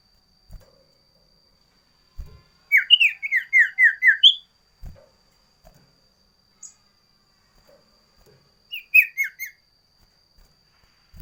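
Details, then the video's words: Sooty-headed bulbul giving a loud varied song, a quick run of sharp whistled notes stepping downward, then a shorter similar phrase later, with a steady high electronic tone and occasional clicks in the background. "Suara Burung Sirtu Variasi"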